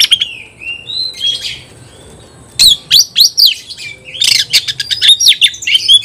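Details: Oriental magpie-robin facing a rival: soft sliding whistles at first, then loud rapid chattering bursts of bright chirps and mimicked notes.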